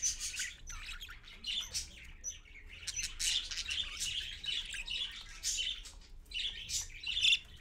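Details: Parakeet parent with babies at 6:20 AM: dense, scratchy chatter and squawks in overlapping bursts, with occasional brief high chirps, continuing throughout at moderate loudness.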